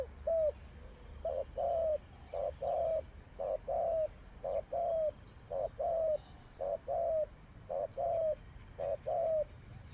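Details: Spotted dove kept as a decoy bird for trapping, cooing steadily in short mid-pitched phrases of two or three soft notes, the last note drawn out and slightly falling, repeated about once a second over a low rumbling background.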